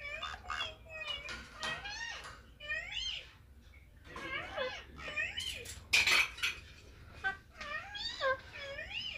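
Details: Indian ringneck parakeet indoors, talking on a mobile phone: a rapid run of squeaky whistled syllables sliding up and down in pitch, in short bursts with brief pauses, a sharp clatter midway and a low hum beneath.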